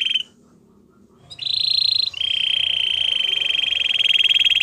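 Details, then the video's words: White Belgian canary singing: a short high note, a brief pause, then a loud, steady, high rolling trill that breaks for an instant and resumes as a long, even, buzzy trill to the end. "White Canary Singing In The Wild | Belgian Canary"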